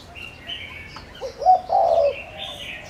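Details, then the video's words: Spotted dove used as a lure for wild doves, giving a single short cooing phrase of a brief note and a longer low, hollow coo, with faint higher chirping from other birds behind. "Tiếng cu gáy Gáy Gọi kích cu rừng cực nhạy"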